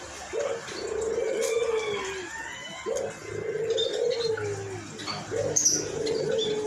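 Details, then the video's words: Albino white collared dove calling eagerly in a hoarse voice, giving repeated long, low coos that begin with a short upswing and hold steady, about every two and a half seconds, amid light chirping from other birds. "Burung Puter Putih Gacor Suara Serakh"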